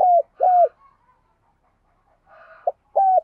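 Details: Spotted dove kept as a decoy, trained with a kích bổi, giving gáy sung cooing: short, even, low whistled coos ending in a downward hook, with faint muffled coos in between.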